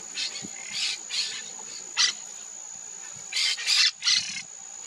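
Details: Wild monk parakeets in Maldonado river estuary wetlands, Uruguay, February 2024, giving a run of harsh, raspy chattering squawks, several quieter then a loud cluster of three near the end, over a constant high-pitched tone.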